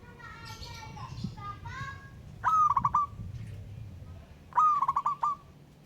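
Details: A local wild-type zebra dove calls to challenge a rival, giving two clipped, rolling coo phrases a couple of seconds apart. Soft twittering from other birds and low rumbling background noise come first.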